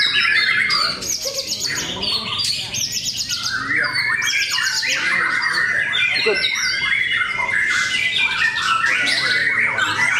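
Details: Competing white-rumped shamas at a Cikeas song contest pour out a continuous chorus of buzzy trills, sharp chips and fluty whistles, rapidly repeated and overlapping throughout.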